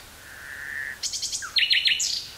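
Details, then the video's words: In woods near Burgh-Haamstede, Netherlands, a common nightingale sings on 18 May 1983, recorded on cassette: a soft drawn-out whistle swelling, then a burst of rapid pulsed notes and sharp repeated chirps. "Nightingale singing near Burgh-Haamstede, NL"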